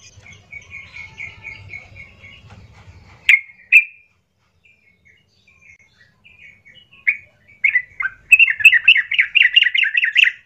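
Yellow-vented bulbul giving a run of soft chattering notes, then loud bubbly, gurgling phrases that build into a rapid rolling burst. A low hum sounds at the start.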